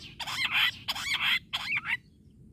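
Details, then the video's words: Jungle bush quail, recorded in a hunting context, giving three harsh, rasping, high-pitched bursts about half a second each in quick succession, over a faint low background rumble. "Bush quail sound"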